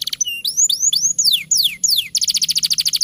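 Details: Canary song meant to stimulate young or reluctant canaries: a series of bright rising then falling whistled sweeps, followed by a fast buzzy repeated trill.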